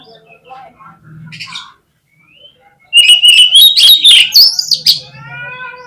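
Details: Kacer, or oriental magpie-robin, in a lure song used to get other kacer singing: a faint low hum and soft chirps first, then a sudden loud two-second stream of rapid, rising, sharp whistled notes.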